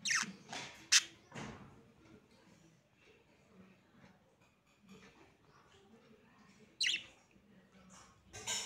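Budgerigar giving harsh, scratchy squawks and chirps in short bursts separated by quieter stretches.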